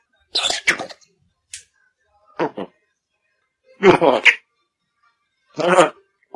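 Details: A pet African grey parrot that is just beginning to talk, recorded for a talking-bird championship, speaks four short bursts of human-like words, with raspy, clipped phrases and pauses of about a second in a quiet room.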